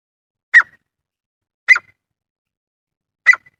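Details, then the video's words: Grey francolin giving three short, harsh, squealing notes about a second apart, loud against an otherwise silent background; a clear call recording presented as a hunting lure. "Grey Francolin Call"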